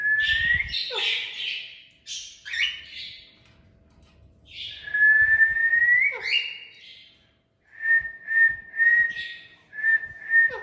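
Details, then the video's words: A talking parrot mixes rising slurred whistles with breathy squawks, then gives a rapid series of short, even whistle notes, about two per second, all at one pitch. "Talking parrots making natural sounds"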